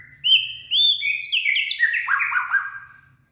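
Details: Late-afternoon song from a purebred white-rumped shama, 18 February 2024: two rounded, upslurred whistles lead into a quick descending cascade of clear notes that fades out.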